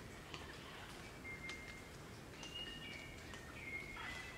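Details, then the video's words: A group of Crimson Rosellas singing and chattering in the Australian bush of Barrington Tops National Park, New South Wales; thin, clear whistled notes held at a steady pitch, several spaced across a few seconds over a broad, hissing background. "Crimson Rosella Calls & Sounds"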